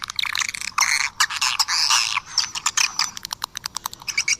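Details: Swiftlet calls meant to attract the birds: a short run of shrill, squeaky chirps and twitters in the first two seconds, then a string of brief dry clicks and a few thin high whistles.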